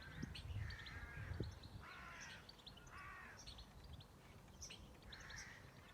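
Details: Birds calling on a farm: hoarse, harsh caws repeat about every second and a half, while small high chirps and tweets run above them against a low background rumble.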